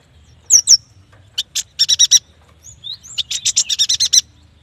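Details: Yuhina, or prenjak batu, in vigorous song: paired slurred whistles open the phrase, followed by clipped chatter notes and a rising whistle leading into a fast buzzy run.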